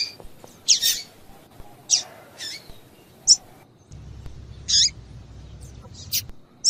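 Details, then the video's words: Female double-collared seedeater giving calls meant to get males singing: sharp high chirps and brief squeaky notes spaced about a second apart, over faint low hum. "Piado de Fêmea de Coleiro para Esquentar Coleiro"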